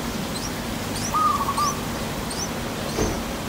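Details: Yellow-vented bulbul nestlings, a few days old, in a nest being fed by a parent in Thailand: thin rising high chirps repeat every second or so, with a brief lower whistled note midway, over steady outdoor hiss.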